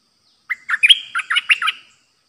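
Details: Streak-eared bulbul, a newly trained decoy bird, singing its pure 'opening flowers' style, recorded 6 May 2022: a quick run of about seven bubbly, slurred whistled notes with a thin rising note running through them, in otherwise quiet surroundings.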